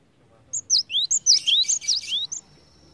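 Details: Cinereous tit (Parus cinereus), song: lure to prompt other birds to sing.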